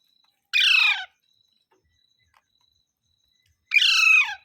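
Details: A parrot utters two loud, grating squawks with a falling pitch, separated by about three seconds of near silence.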